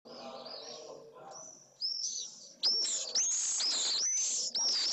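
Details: Newly hatched Pallid swift chick in a nest in Jerez de la Frontera, Spain, receiving one of its first feeds, late May; high, shrill, rising-falling screechy notes in loud bursts after a quieter start.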